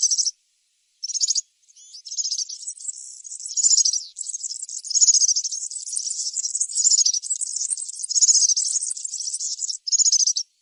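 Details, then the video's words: European serin singing in the wild: a high, fast, jingling stream of buzzy, glassy trills, starting with short bursts and then running on almost without pause for several seconds. "طائر البسبوس السورا في الطبيعة_serin cini dans la nature"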